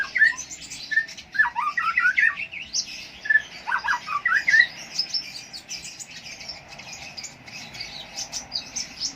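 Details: Konin lovebird from Jambi, Indonesia, chattering energetically with rapid squeaky chirps and slurred up-and-down notes early on, easing into softer, steady high twittering for the rest of the stretch.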